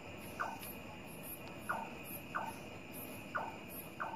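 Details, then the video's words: Nightjar calling clearly at night, falling silent when someone stalks it: short, knocking notes that drop slightly in pitch, five in about four seconds at uneven spacing, over a steady high insect hum and faint hiss. "suara burung cabak terdengar jelas di malam hari"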